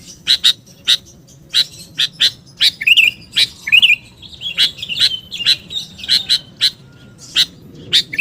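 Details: Lure recording of a sooty-headed bulbul: a rapid series of sharp, bright chip notes with twice-heard slurred whistles in the middle, steady and insistent throughout.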